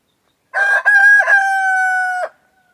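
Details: Male layer-breed rooster crowing: a loud harmonic call that opens with two or three short choppy notes, then holds one long, steady, slightly falling note for about a second before cutting off abruptly. No other sounds.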